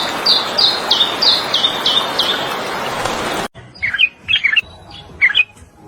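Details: Fim-fim (Purple-throated Euphonia) of Brazil sounds a series of short, high, bright notes evenly repeated about three times a second, then a quieter cut with scattered lower chirps.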